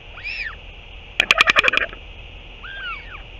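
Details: A northern royal albatross parent back at the nest to feed its chick, dated 08 06 2023. One arched call, then a quick run of about eight sharp clattering pulses, then softer overlapping wavering calls.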